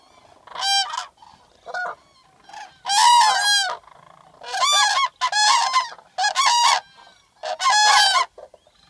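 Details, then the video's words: Trumpeting common cranes in southern Sweden, filmed from a photo hide in April 2014: loud rolling bugling calls in repeated bursts, several birds overlapping, with short quiet gaps. "Midden tussen de kraanvogels"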